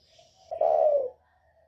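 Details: Northern spotted dove in the 'còi bổi' voice style, a call used for provoking other birds: a single mellow coo phrase, a brief stuttered onset then a sustained, slightly falling hoot, with faint softer cooing before and after.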